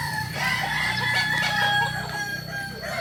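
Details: Kokok Balenggek rooster from Solok, West Sumatra, Indonesia, a local breed whose crow rises in many stepped stages; steady tonal crow segments run through moderate background noise, with a low hum underneath.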